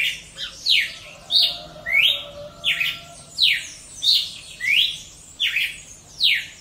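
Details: Wild Paroaria cardinal in song: a regular series of loud downward-sweeping whistled notes, one about every 0.7 seconds, preceded by a softer short note, clean background.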